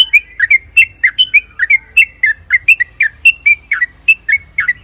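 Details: Lure recording of a yellow-vented bulbul in long rolling song: a continuous stream of bright, slurred chirps, each dropping slightly, delivered quickly and evenly throughout.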